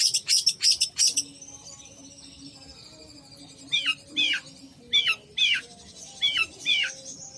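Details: Long-tailed shrike singing: opens with a quick burst of very high squeaky notes, then after a pause a series of sharp descending chip notes spaced about half a second apart, over a faint steady hum.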